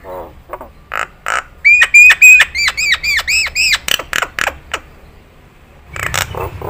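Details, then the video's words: Nias hill myna song from a training recording for cage birds: a long pure whistle followed by a rapid series of about ten rising-and-falling slurred notes, then sharp clicks and a brief harsh phrase after a pause. "JALAK NIAS"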